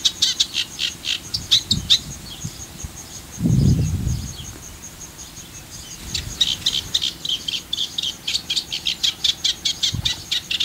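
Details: Eurasian reed warbler song in El Fondo Natural Park, Valencia, Spain: steady run of scratchy, chattering notes, a brief pause around the middle with a low rumbling bump, then the jerky repeated phrases resume.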